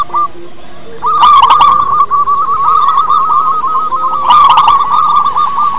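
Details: Lure recording of a local wild zebra dove: a short coo, a pause, then a long unbroken rolling, quavering coo trill lasting about five seconds, punctuated by two bursts of crisp clicks.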